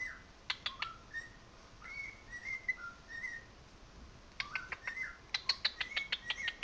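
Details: Pet cockatiel singing along with another cockatiel's song played nearby: short whistled notes and rising slurred whistles, then a fast run of sharp chirps repeated about three times a second toward the end.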